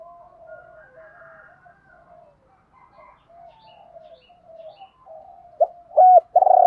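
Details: Spotted doves, male and female, recorded to rouse doves during training: several seconds of soft, distant murmuring coos, then a loud close phrase of short notes building into a sustained burry coo at the end.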